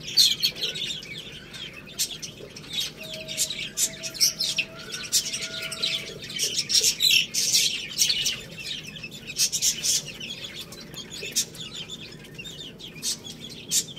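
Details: Little chicks feeding on rice: repeated thin high peeps, often downslurred, scattered through steady sharp pecking and rustling clicks.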